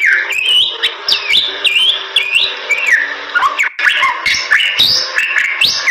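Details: Lively Bali myna song meant as tutoring material: looping whistles sweeping up and down, squawky accents and sharp clicks, with a brief gap before a fresh burst of bright rising notes.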